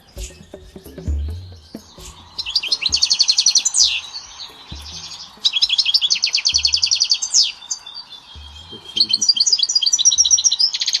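European goldfinch song: bright, tinkling bursts of rapid twittering trills and buzzy notes, coming in three long phrases, with a low hum and soft knocks beneath.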